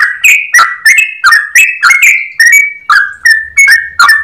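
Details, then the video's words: Clear-voiced yellow-vented bulbul delivering a long ropel sequence: quick chattering whistles, each note sharply attacked and slurring between two pitches, repeated about three times a second without pause. "Trucukan gacor ropel panjang suara jernih"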